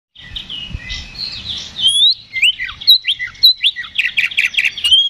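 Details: Oriental magpie-robin singing loudly in fighting mood, a lure recording meant to provoke a rival's response. Varied high whistles, sweeping slurs and fast buzzy trills run together, growing louder and choppier toward the end, over faint low background noise.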